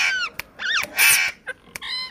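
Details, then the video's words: Pet parrot producing speech-like sounds: harsh rasping syllables alternating with curving, voice-like tones with rich harmonics, short sharp clicks between them, with music in the background. "my parrot speak Mitho Mitho Bety Original voice sound different words speak"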